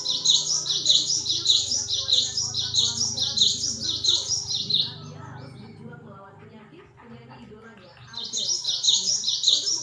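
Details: Lively cinereous tit delivering quick, high, clipped chirps in a steady rhythm, pausing briefly before resuming, with a faint low background murmur, from a recording meant to lure and train birds.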